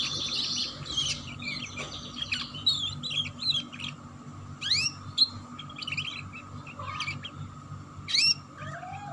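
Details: Ngeriwik canary chirping used to coax young canaries into song: quick bursts of sharp tweets and upswept chips, irregular and scattered, with a constant electrical hum underneath.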